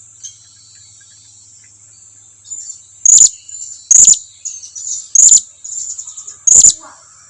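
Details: Blue-crowned hanging parrot summoning its companions closer: after a quiet start, loud, shrill single chirps about once a second, separated by softer, thin, high trills.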